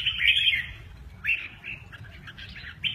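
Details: Red-whiskered bulbul in mơ ché nẹt song style, performing a wing display; one loud warbled burst opens, followed by softer, broken, slurred notes and a final short phrase.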